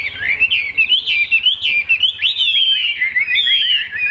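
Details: Chinese hwamei, a caged bird of the leaf-shaped-tail type, singing a loud, continuous run of slurred whistled notes that rise and fall rapidly, with no pauses across the phrase.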